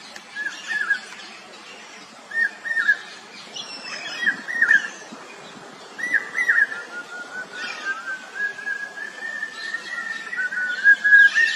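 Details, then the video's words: Common hawk-cuckoo giving several fainter whistled three-note phrases at irregular intervals over hissing background, then a longer wavering, gradually rising whistled run toward the end. "চোখগেলো পাখি | Chokh Gelo Pakhir Dak | Common Hawk Cuckoo"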